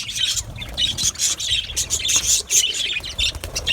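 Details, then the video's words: Colony of Australian budgerigars in an aviary, bursts of squawking and whistled chirps rising and falling every fraction of a second in a busy overlapping chorus. "Budgies birds chirping sounds"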